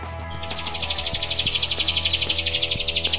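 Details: Grosbeak starling (rio-rio) gives a fast, buzzy chatter of high, sharp notes, about four each second, over a low steady hum. The recording is used as a song master for other songbirds.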